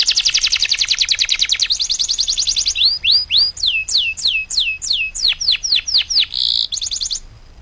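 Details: Canary singing a training song for caged birds: opens with a fast, harsh high trill, shifts to a run of clear swooping whistles repeated about twice a second, and ends in brief buzzy bursts.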